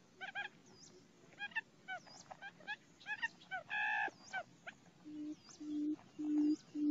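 Quail calls: a quick run of nasal, harmonic notes and a drawn-out buzzy note, then four low humming hoots about every half second.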